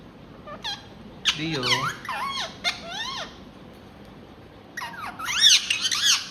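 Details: Pet ringneck (rose-ringed) parakeet talking indoors, reacting to another parrot appearing upset. Short squeaky, wavering, speech-like phrases, high and bending up and down, come in bursts with pauses, plus a louder cluster of chattering notes near the end.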